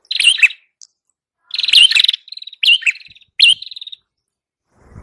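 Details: Red-headed prinia (prenjak kepala merah) song, used as a tutor recording and to lure birds: bursts of sharp chirps near one pitch, each ending in buzzy trills, in three groups separated by short silences.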